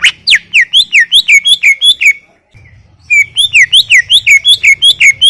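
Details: Greater green leafbird singing non-stop: rapid, ringing, down-slurred whistles in quick succession, a brief half-second break, then another fast, bright series.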